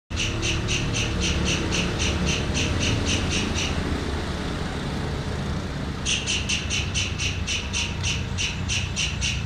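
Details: White-throated kingfisher (Halcyon smyrnensis) calling a fast, even series of sharp, high notes, about four a second, over a steady low rumble of traffic or engine noise.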